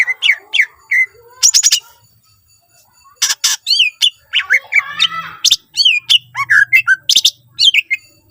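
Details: Greater green leafbird in constant, richly varied song, meant to lure other leafbirds into singing; bursts of buzzy chatter alternate with bright whistled slurs and quick chips, with a short pause near the middle and a faint low hum.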